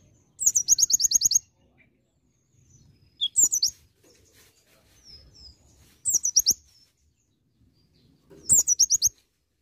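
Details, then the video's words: Olive-backed sunbird in steady singing with imitation fills. Four separate bursts of rapid, high, sizzling trills, each about half a second to a second long, are spaced by short quiet gaps. "KONIN GACOR ISIAN VARIASI"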